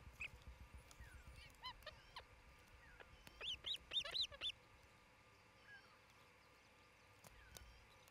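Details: {'caption': 'Osprey pair nesting in Charlo, Montana, heard through a nest camera on 27 June 2018 at midday; a short tight series of shrill, clipped whistles in the middle, with scattered softer calls and taps around it.'}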